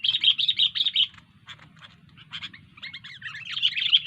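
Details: Sooty-headed bulbul in vigorous song: loud rapid chattering notes for a second, a few scattered chips, then renewed quick warbling phrases, with a low steady hum beneath.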